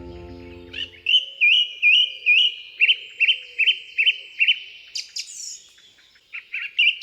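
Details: Song thrush in the UK, a bird of woods, parks and gardens whose song is short phrases each repeated several times: a clear whistled phrase repeated quickly, then higher scratchier notes; a brief musical tail fades at the start.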